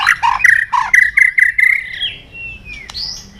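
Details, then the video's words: White-rumped shama lure song: a string of punchy, repeated whistled notes about five per second, easing into a long smooth whistle that slides down, then a sharp click and a higher rising note. "pancingan murai batu gacor bikin yang lain DOWN!!pancingan burung murai batu nyaut"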